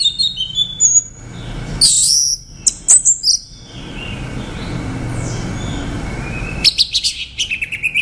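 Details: A male Orange-headed thrush song used as a trapping lure: short bursts of rich, varied whistles and high scratchy phrases separated by pauses, over a low steady background hum.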